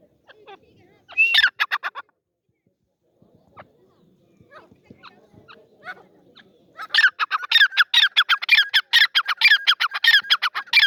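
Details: Partridge (teetar) calling: a short burst of harsh, harmonic notes, a quiet gap with faint rustling, then a long loud run of rapid, evenly spaced raspy notes, about one per second overall, rising into a rhythmic chatter.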